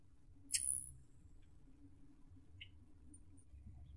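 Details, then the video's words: A Rufous hummingbird (Selasphorus rufus) gives one sharp, very high squeaky note, then a lower chip and a few faint high ticks, over a steady low hum. "Как поёт Колибри охристый"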